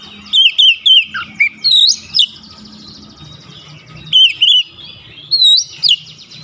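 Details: Oriental magpie-robin in fiery song, beak opened wide: bright looping whistles and a dipping lower note, then upward-sweeping phrases, in clustered bursts separated by short pauses; steady low hum underneath.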